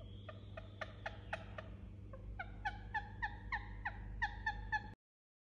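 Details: Indian ringneck parakeet murmuring in its sleep: a steady string of short, soft whistled notes, about four per second, each dropping slightly in pitch, over a low hum, ending abruptly.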